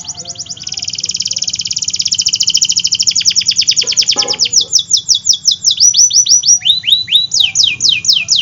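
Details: Canary, described as a lively singing bird used to prompt reluctant singers and young birds, delivering a long rapid trill that shifts into faster rolls, then loud repeated downward-sweeping whistled notes; steady low hum underneath.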